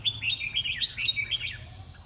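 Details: Red-whiskered bulbul competing in song: a fast, continuous chatter of sweet whistled notes in quick succession, with a low hum behind.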